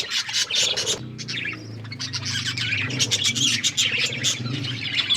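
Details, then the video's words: Pet budgerigars eating and chirping in a dense chorus of high squeaks, trills and warbled chatter, with a low humming tone running through much of it. "Beautiful budgies eating food birds chirping sounds"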